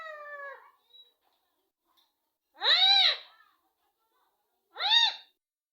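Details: Pet rose-ringed parakeet known for talking much. Heard indoors: a drawn-out nasal tone, then two separate, loud, arched, voice-like calls about two seconds apart, each rising and falling in pitch.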